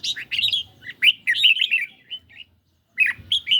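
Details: Red-whiskered bulbul, kept in a cage, singing energetically against a phone in light sunshine. A fast, rich warble of bright notes stops for a moment and then resumes, over a soft low rumble.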